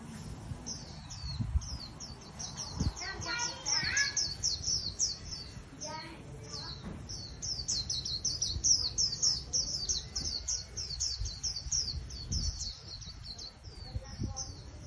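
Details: Japanese white-eye, a wild-caught cage bird valued for trapping contests, pours out a long, continuous stream of rapid, high, slurred chirps with hardly a pause, while faint voices and low noise sit underneath.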